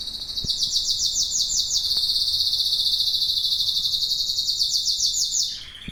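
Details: Domestic canary singing a long, fast, rolling trill, bright and high, held steadily for about five seconds before stopping abruptly, with only faint background noise.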